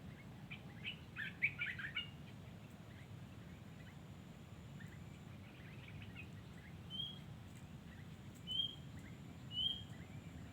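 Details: Wild yellow-vented bulbul singing: a short burst of bubbly, chattering notes early on, then three brief, thin rising whistles spaced a second or two apart, over steady low rumbling background noise.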